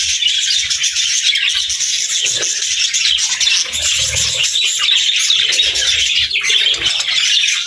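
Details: Parakeets, budgerigars, warbling together in an unbroken chorus of rapid high chirps, squeaks and grating notes, with occasional faint low bumps.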